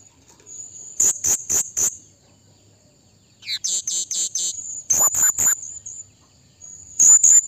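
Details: Blue-crowned hanging parrot calling a rival: bursts of three to four shrill, very high, sharp notes in quick groups, separated by short pauses, over a steady thin high-pitched background tone.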